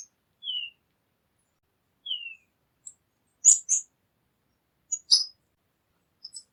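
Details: Sparse tanager calls: two thin, descending whistled notes, then sharp, clipped chips at irregular intervals with silence between.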